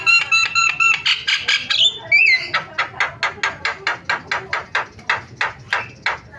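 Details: Starling sound used to provoke quiet starlings into calling: bright stacked whistled notes and a short bending whistle, then a long steady string of dry, clipped chack notes, about three each second.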